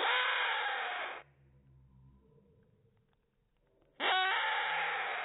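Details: Rainbow lorikeet, a hand-raised chick neglected by its mother, being fed by a five-year-old female that acts as foster mother. Harsh, rasping screeches come in two loud, sustained bursts, with near silence between them.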